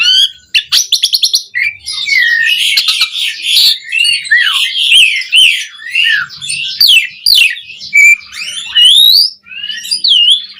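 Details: Caged-bird training song of an Asian pied starling: a quick burst of clicking notes, then a dense, continuous stream of buzzy warbles and looping whistled slurs, with a few clear rising whistles near the end.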